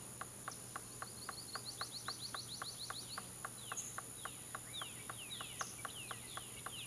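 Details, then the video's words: Male Golden-fronted Woodpecker tapping at possible nesting holes, Hill Bank Field Station: rapid regular knocks, about four per second, while other birds give high sliding chirps and whistles in the second half. "Golden-fronted Woodpecker"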